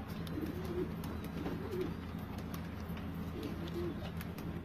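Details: Low, soft pigeon coos repeated several times, short and throaty, heard over a steady background hum with faint clicks.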